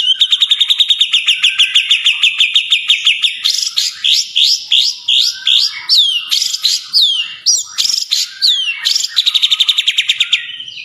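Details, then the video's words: White-rumped shama song prepared as training material for competition birds; the material reportedly draws on cililin, kapas tembak and canary sounds. A rapid run of clear repeated whistled notes shifts into varied sharp, rising and falling phrases, loud and clean. "INILAH MATERI MURAI BATU YANG DI LIRIK JURI"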